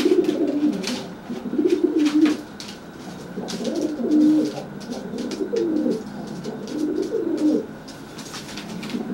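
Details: Dry pigeon threatening a wet, flightless pigeon after a bath, making itself look bigger; a steady series of low, throaty rolling coos in four phrases, with light scraping and tapping noises.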